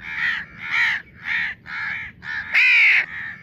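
A young house crow gives harsh, nasal caws in quick succession, about two each second, the last one louder and longer.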